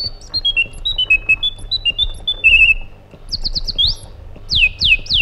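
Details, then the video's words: Iraqi bulbul giving separate clear whistles that drop in pitch, then a short buzzy trill, followed by loud sweeping notes that slide steeply downward, with a faint low hum behind. "Magnificent Harmony by an Iraqi Bulbul"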